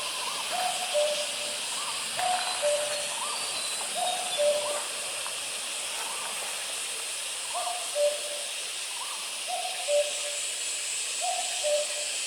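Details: Distant common cuckoo calling in Vietnam: repeated two-note 'coo-koo', the second note lower, about every two seconds. Fainter higher notes sit between the pairs over a steady hiss of background noise.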